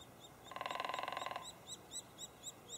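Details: White-headed woodpecker nest in Lassen Volcanic National Park: a quick drum roll of about a second, then the nestling's sharp, high chirps repeat several times.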